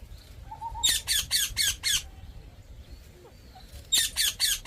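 A parrot gives harsh, raspy squawks in quick bursts, five in a row, then a pause and four more, with a faint low hum behind.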